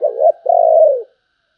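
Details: Low mellow cooing from a spotted dove in the 'sấm bầu' song style: a short coo, then a long sustained coo with a slight tremor that slides downward at its close, followed by silence.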